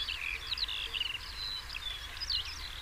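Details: European stonechat singing: continuous high, twittering warble with short rising and falling scratchy notes, mixed with quieter steady whistled tones, over faint low rumble.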